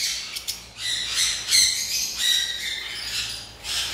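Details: Lovebirds at a bird farm: bursts of harsh, scratchy squawks and shrill chattering come in waves, several birds calling over one another, with a constant background hiss.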